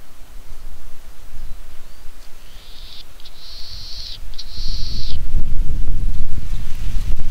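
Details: Latham's snipe calling while perched: a short run of harsh, buzzy, even-pitched bursts in the middle of the clip, the last two longest, with low rumbling noise growing toward the end.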